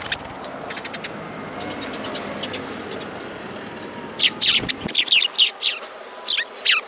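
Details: Sparrows gathering for food at a Tenmangu shrine, Japan, on 3 May 2022, squabbling over a hand; faint distant chirps over traffic hum, then a loud cluster of high chirps after four seconds and two more near the end.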